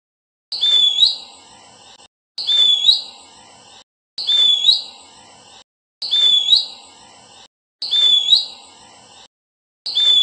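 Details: Verditer flycatcher sings a bright high whistled phrase with a rising, flicked ending, repeated regularly about every one and a half to two seconds, clean and quiet between phrases.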